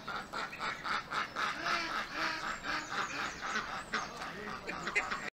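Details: Ducks on a small lake or pond at an urban farm, a busy chorus of overlapping nasal quacks repeated roughly twice a second, many birds calling at once with steady background farm noise.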